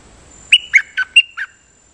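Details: Dok Taeng bird singing a lak-boen style decoy song. Five loud, evenly spaced whistled notes, alternating higher and lower slurs, delivered within one second in a quiet setting.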